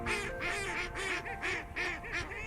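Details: Mallard (Anas platyrhynchos) in the Baie de Somme, Picardy, France, giving a run of harsh, nasal quacks, several bursts in quick succession, with a steady background hum underneath.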